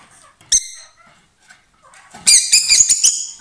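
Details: A pair of lovebirds, kissing and exchanging food, sings loudly: one sharp high chirp, a near-silent pause, then a rapid burst of shrill, squeaky chattering chirps.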